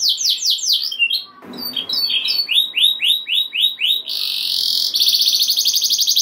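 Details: Canary in varied song used to stir other canaries: fast descending whistles, a brief lull, rhythmic swooping notes about four per second, then a piercing, steady, high buzzing trill.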